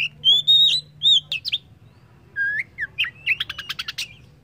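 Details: White-rumped shama delivering pure whistled notes, a lower slurred phrase, then a rapid rattling series of sharp chips, with a quiet background hum.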